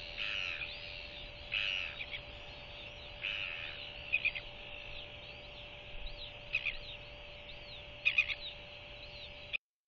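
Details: Recently hatched Royal albatross chick begging at its second evening feeding from its mother: a loose series of thin, high peeps and short squeaky bursts, irregularly spaced over ten seconds, with soft clicks and a steady hum behind.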